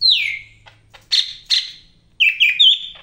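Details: Energetic Greater green leafbird song from Medan: a long falling whistle, two harsh chattering notes, then a run of quick clear whistles stepping downward.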